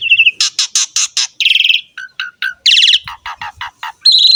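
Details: Lively song of an Asian pied starling, used to draw other songbirds into singing: a run of harsh rasping notes, three short low whistles, then buzzy chatter and a steady high whistle.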